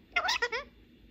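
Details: Pet ring-necked parakeet indoors, playing and talking with a mobile phone in Persian and English: a short three-part chatter of harmonic, speech-like syllables with rising and falling tones, lasting under a second in a quiet small room.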